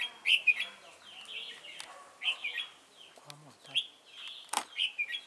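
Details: Red-whiskered bulbul serving as a trap decoy at Chùa Hương, 28 November 2017. Short bubbly whistled phrases repeat roughly every 1.5 seconds, with a few clicks and handling knocks between.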